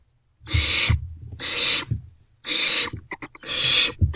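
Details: Barn owlets in a nest box, sharing a vole at night around 2 am on 27 March 2024; four loud, harsh, hissing screeches, each about half a second long, with a few soft clicks and shuffling noises between them.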